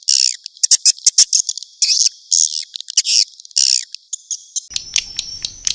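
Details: High, buzzy swiftlet chirps in short clustered bursts with brief gaps, ending in quick clicks and a thin steady tone; an Indonesian lure sound, with outer and inner 'lullaby' parts, for swiftlet houses in Gia Lai.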